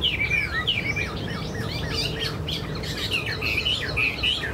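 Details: Tame caged Chinese hwamei with fanned tail and eagle-like wing display. Clear ringing whistles and shorter chirps, separated by brief gaps, rise above a rumbling, noisy background.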